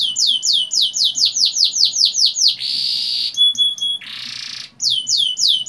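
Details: Canary song meant to prompt young canaries to sing: a run of repeated downward-swept whistles, then a buzzy trill, a few pure high tones, another buzz, and whistles again.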